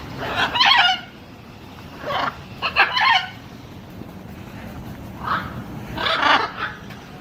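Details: Harsh, grating macaw squawks come in short clusters: a doubled burst at the start, a pair near the middle, then a louder rasping group near the end, with quiet gaps between.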